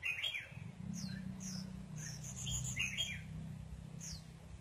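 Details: Red-whiskered bulbul sunbathing, delivering two quick warbled phrases a couple of seconds apart, each followed by thin descending high whistles, over a steady low hum.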